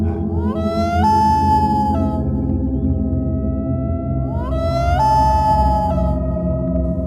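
A common loon gives long, mournful wailing notes that slide upward and then hold steady, twice in seven seconds, over a low droning music bed.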